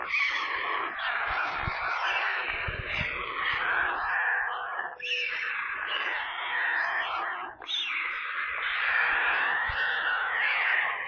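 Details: White stork chicks screaming for food in their nest near Kaluga, central Russia, seen on a live stream camera: long unbroken hoarse, wheezing screeches in rapid pulses, briefly pausing twice, with little background noise.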